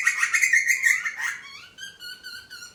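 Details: A young butcherbird being fed by a parent: harsh rapid buzzy begging chatter, then a run of repeated rising whistled notes.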